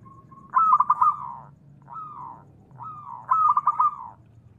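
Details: Zebra dove, a local bird used to coax quiet doves into singing, giving three trilled cooing phrases about a second apart, each a stuttering, slightly falling coo, with soft low background noise.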